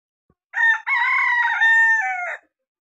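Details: At a village home where chickens and pigeons are kept, a rooster crows once, a loud harmonic cock-a-doodle-doo in several drawn-out phrases.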